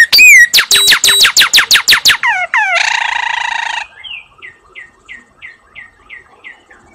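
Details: Female cardinal on her nest with eggs about to hatch sings a rapid series of loud, sharply downslurred whistled notes, then a rasping buzzy phrase, trailing into soft, evenly spaced chip notes about three per second.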